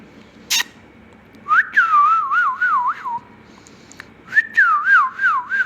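A rose-ringed parakeet whistles two clear, wavering phrases that rise and fall in a quick warble, with a sharp click just before.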